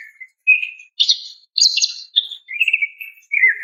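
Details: Greater green leafbird female calling for a male: a mix of steady whistles and rapid trilled, chattering phrases, higher notes stuttering, ending in a falling whistle.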